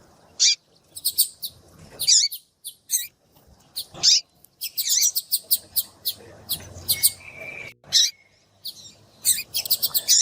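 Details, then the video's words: Female yellow-bellied seedeater piping to warm up males for singing, a sound valued by keepers who enter singing contests: sharp high chirps, single and in quick clusters, spread irregularly through the clip. "Piado de fêmea de papa capim vai deixar seu papa capim cantando Muito RÁPIDO !"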